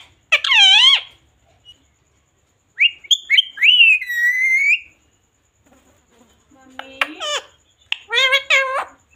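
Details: Talking pet parrot that says mummy and papa: a few separate harmonic squawked syllables and a slurred rising-falling phrase, then scattered clicks and a final burst of arching notes, with quiet gaps between.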